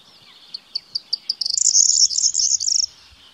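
A corn bunting sings: a few spaced ticking notes that speed up into a high, dry, jangling trill, like a bunch of keys shaken, lasting about two seconds.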